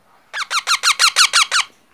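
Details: Baby parrot giving eight quick, harsh, downslurred squeaks in an even series over about 1.3 seconds, each note rich in overtones, recorded indoors with a quiet background.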